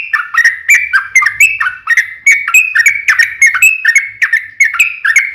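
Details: Lure song of a yellow-vented bulbul, lively and long, to get other birds to respond; quick liquid whistled notes rising and falling in a brisk steady series.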